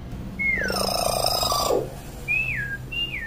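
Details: Chatty common hill myna, calling to train young mynas. A long downward-sliding whistle merges into a loud, harsh, broad blast, followed by two clear, high whistles that each drop in pitch.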